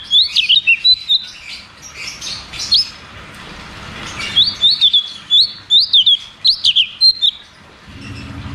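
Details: Cucak cungkok in 'ngeroll tembak' song, played to restart caged birds that no longer sing: two long runs of quick, sharp whistled notes with a brief pause between them, ending in low hum.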